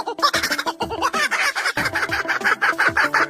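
A kookaburra gives a rapid run of harsh, chuckling notes, about three a second, building into a loud cackle with no other clear sounds.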